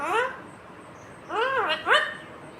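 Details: Talking green Indian ringneck parrot gives arched, harmonic word-like sounds: one short utterance, a pause, then two quick swooping syllables, indoors with low background hiss.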